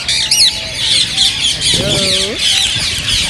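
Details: Green rose-ringed parakeets, said to prompt others to sing and mate, screech and chatter continuously, with a bright rising squeal at the start and a long, wavering, lower harmonic call near the middle.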